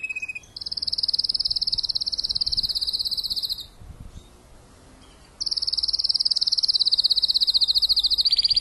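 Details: Spanish timbrado canary kept as a breeder and song tutor, singing after moulting: long fast metallic high trills lasting several seconds, a pause of about a second and a half, then the trill resumes and shifts lower.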